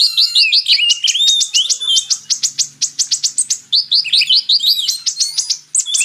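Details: Purple-throated sunbird (Kolibri Ninja) in a training recording mixed with magpie-robin song. A fast, continuous stream of high, sharp chips and short twittering runs with few pauses.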